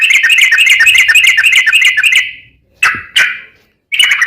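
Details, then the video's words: Sooty-headed bulbul singing in the long 'ropel' style used as a lure to get other bulbuls singing: a fast, buzzy run of repeated notes for over two seconds, then a pause and several short, sharp bursts. "trucukan gacor ROPEL PANJANG buat pancingan trucukan agar bunyi"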